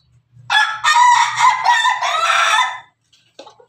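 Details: Ayam Ketawa rooster crowing in the afternoon: a loud, harmonic crow lasting over two seconds, broken into several linked syllables with rising and falling pitch, ending abruptly, followed by a faint short call and a low hum.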